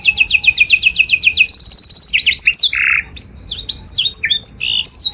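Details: Canary song as a model for imitating birds. A fast high trill of repeated rising notes flows into a buzzy phrase and then scattered sharp chirps and whistles.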